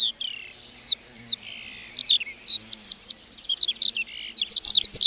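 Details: A lark in a meadow opens with two long, clear downward-curving whistles, then breaks into a quick jumble of high chirps, buzzy notes and sharp rising flicks.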